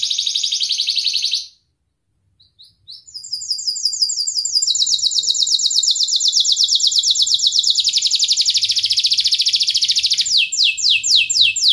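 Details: Canary singing long and full, offered as a training lure for young birds learning sounds: a high buzzy roll, a pause of about a second and a half, then a long, very fast mechanical trill that steadily continues.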